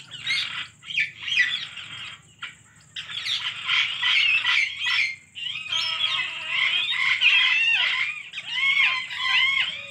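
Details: Pet Alexandrine parakeet giving a long run of harsh, grating squawks and screeches, loud and almost continuous with short pauses, some notes sliding downward, over a faint steady high hiss.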